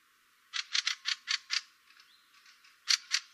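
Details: Fieldfare, a winter thrush, giving its annoyed-sounding harsh, dry "chak" call, five in a quick series, then a pause and two more, with faint softer chatter between.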